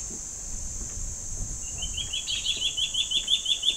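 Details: Juvenile Gabar Goshawks, two of them, begging from a tree as they wait for parents with food: a rapid series of roughly thirteen high, slightly rising piping notes building in strength, a continuous insect whine throughout.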